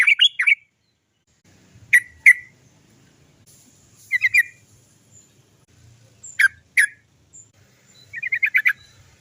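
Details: Sooty-headed bulbul, 'cok cok cok' lure song meant to prompt other birds to sing: short clusters of sharp notes in pairs and triplets at irregular gaps, ending in a brief rapid rolling burst.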